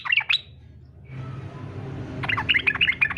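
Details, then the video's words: Yellow-vented bulbul singing fighter style to coax other bulbuls into song; a couple of quick notes at the start, a pause, then a brisk run of bubbly, chattering notes. "SUARA trucukan faghter cocok buat pancingan supaya trucuk ikut faghter"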